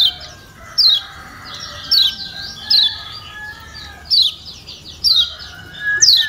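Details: Lombok yellow white-eye gives sharp, high, descending chirps about once a second, a call used to stimulate quiet white-eyes into singing, over softer twittering and chattering birds.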